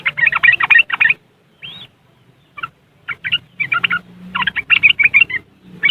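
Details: Riwikan-style song of a yellow-vented bulbul, recorded by Android phone in West Java, Indonesia, as a lure for caged bulbuls reluctant to sing. Rapid chattering phrases, one brief rising whistle, then a long run of dense scratchy bursts.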